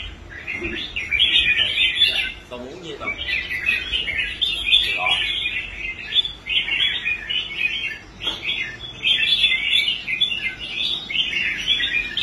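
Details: Red-whiskered bulbul kept in a cage, a former dropout from competitions restored by a new owner and singing strongly on the show rack; dense runs of sharp chirped and warbled phrases, briefly broken by soft lower notes and a click.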